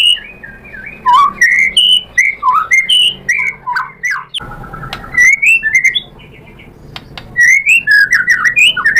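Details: White-rumped shama provoked into replying, pouring out varied whistled and chattering phrases, a short quiet spell with a steady tone, then more slurred whistles.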